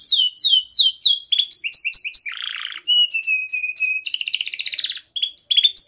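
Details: Young canary in full, vigorous song used to train other young canaries, with tight rolling trills: fast downslurred whistled sweeps, then clipped repeated chips, a short buzzy burst, a steady whistled roll and a dense buzzy trill.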